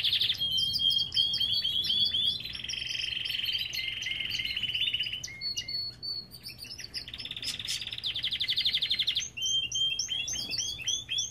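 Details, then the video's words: Aviary Belgian canary sings rapid notes that merge into a long rolling trill, then mixed chirps, a second rolling trill, and a burst of quick high notes. "Lindos cantos de canários!"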